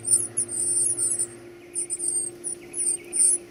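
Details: Baby birds being fed give a frantic burst of high, shrill, buzzy begging squeals, a long run then shorter chirps, over a steady low electrical hum.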